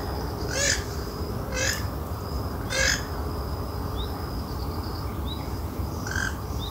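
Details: Wild western swamphen calling in the open: three loud, harsh, rasping bursts about one second apart, then quieter pauses and a fainter final burst, over a steady high-pitched whine and low rumbling background noise.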